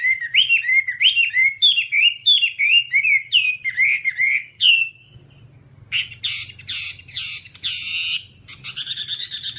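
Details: Whambie song for tutoring kept birds: a quick series of looping whistled notes for five seconds, a short quiet gap, then harsh rasping chatter bursts and a final buzzy trill.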